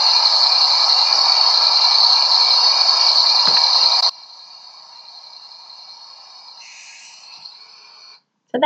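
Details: A Barn owl (Tyto alba) in Australia gives a harsh, hissing, ratcheting screech for about four seconds, then fades to a softer rasp, followed by a brief voice. This ratcheting screech is typical of masked owls.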